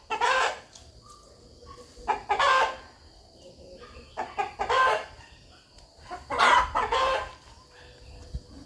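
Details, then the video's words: Rooster in a farmyard giving scattered, rhythmic clucks. Loud rough bursts are spaced a second or more apart, with softer clucks and a faint hum between them. "Rooster Clucking"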